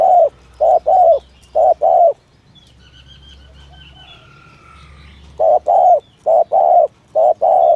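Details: Spotted dove luring coo in the 'thổ thúc gù' style. Two runs of low doubled coos are separated by a three-second pause in which faint whistled notes of other birds are heard.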